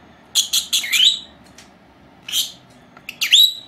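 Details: Two captive female lovebirds, four months old, napping indoors; a quick burst of sharp high chirps, then a lone chirp and a bent, rising whistled note after short pauses.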